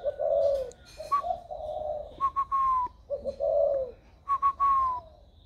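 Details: Spotted dove raised from a chick, with a very warm giọng thổ voice, recorded 16 February 2020: loud low hoots alternating with stuttered, descending brighter notes in two full phrases.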